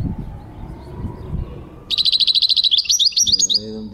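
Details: European goldfinch song recorded in 2023, starting after a quiet stretch with low rumbling: a fast, steady series of high buzzy notes that breaks into varied tinkling twitters, with a low sound underneath near the end.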